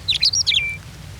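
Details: Male Western Meadowlark in fresh yellow spring plumage sings in sage-dotted valley-bottom grasslands of the Okanagan, British Columbia, in spring: a quick, bright tumble of fluty, gurgling notes, then a held level whistle, over a faint low outdoor rumble.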